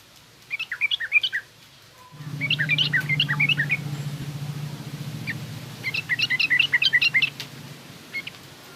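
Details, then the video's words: Yellow-vented bulbul in 'garuda' and rough 'ngriwik' singing styles, meant for training young birds: short bubbly chattering phrases repeated three times over a steady low mechanical hum that starts partway through. "suara burung trucukan garuda lanjut trucukan ngriwik kasar ini pas tuk terapi trucuk muda ajar bunyi"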